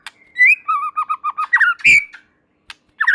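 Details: White-rumped shama song: a rapid series of wavering whistled notes stepping in pitch, a harsh burst, then a louder descending slurred whistle after a short gap.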